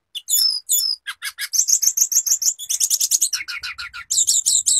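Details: Sulingan or tledekan (hill blue flycatcher), a bird able to imitate other birds, delivering a dense, fast chattering run of high notes and trills without a break.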